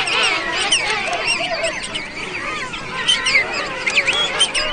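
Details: Hundreds of king penguins in a dense colony chorus give many overlapping warbling, whistle- and trumpet-like calls that waver up and down in pitch without pause.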